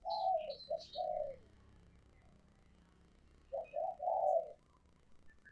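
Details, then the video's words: Coos of a spotted dove, an old wild-caught decoy bird used for trapping. Two groups of mellow, slurred notes are separated by a pause, over a low steady hum, with faint high chirps at the start. "Tiếng Chim Cu Mồi Mp3/ Âm Thanh Chất Lượng Dùng Cho Loa Bẫy"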